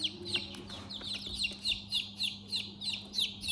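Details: Chicks in their house give high, sharp peeping chirps, about three per second, in a steady repeated series over a low constant hum.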